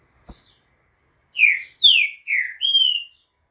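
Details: A Green-winged saltator at 2:30 in the afternoon on 11 September sings a quick phrase of four loud, clear whistles, the first three slurring downward and the last held level, after a single sharp click.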